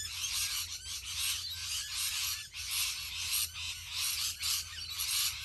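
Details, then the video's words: Rainbow lorikeets in a huge flock in Australia, shrill screeching chatter pouring out continuously and rising and falling in bursts roughly every second. "HUGE Flock of Rainbow Lorikeets"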